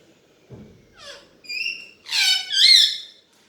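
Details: Talking pet Alexandrine parakeet, a desi parrot speaking Hindi, gives a soft click, then rising syllables that build into a loud, harsh, rasping two-part word near the end.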